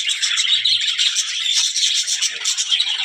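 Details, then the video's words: Short burst of budgerigar chatter, described as talking: bright, rapid chirps and squeaky warbling notes tumbling over each other in a steady chorus. "budgies parrot talking | chidiya ki awaz"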